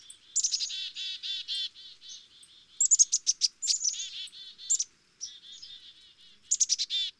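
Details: Black-capped chickadee calling: high thin introductory notes followed by runs of harsh, buzzy, rapidly repeated 'dee' notes, delivered in three bursts with short pauses between them, against a clean, quiet background.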